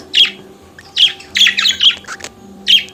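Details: Chattering budgerigar song made of clipped, scratchy chirps, several grouped in a quick run at mid-clip, with others spaced singly at the start and end, over a soft, steady low hum.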